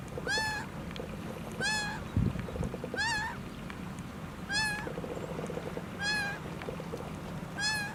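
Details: Laughing gull with one missing leg, calling continuously in the United States: a nasal, harmonic-rich, slightly arched cry repeated about every one and a half seconds, with soft clicking notes between and a steady low rumble of background noise.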